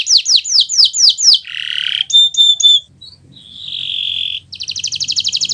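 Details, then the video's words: Kenari Nusantara canary song for teaching other birds to sing: a run of six descending whistled sweeps, then a harsh buzzy note, chattering phrases, a sustained whistle and a fast rattling trill. "Suara Burung Gacoran Kenari Nusntara, untuk Masteran Belajar Bunyi"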